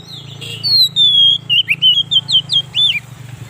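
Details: Oriental magpie-robin song played to lure wild birds and excite kept ones: a long, high, smooth whistle sliding down, followed by a rapid string of short looping whistled notes, with a low hum underneath.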